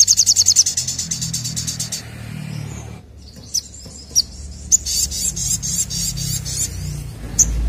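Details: Loud rapid-fire ashy drongo singing to prompt other birds to sing: a quick high pulsed trill ends, a short quiet gap follows, then spaced sharp whistled chips and buzzy notes over a low rumbling background.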